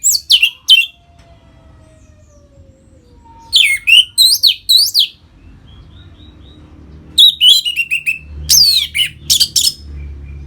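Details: Ngeplong song of a captive orange-headed thrush, meant to bring listening birds into breeding condition: groups of loud, sweeping whistled notes rising and falling steeply, delivered in three separated bursts with a faint thin whistle between, low room hum.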